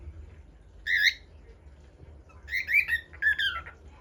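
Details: Common bulbul, known locally as pepper bird, singing from a new perch: short, loud whistled phrases with warbling, rising and falling turns, one at about one second, then three quick bursts near the end, over quiet background hum.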